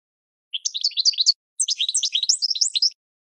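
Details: Goldfinch singing to train cage birds: two quick phrases of jumbled, tinkling high notes and slurred twitters, about a second each.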